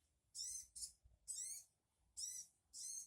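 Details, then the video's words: Sogon bird calling, meant to draw a reply from another sogon: four short, harsh, grating screeches with a hissy rasp, repeated close together against a quiet background. "Burung sogon Dijamin 3menit sogon anda akan nyaut"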